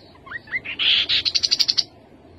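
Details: Rufous-capped babbler from Vietnam, a resident of bamboo forest, dense grass, reeds and secondary scrub with a varied song: two soft rising notes, a buzzy high note, then a quick even trill of about eight clear high notes, all within two seconds.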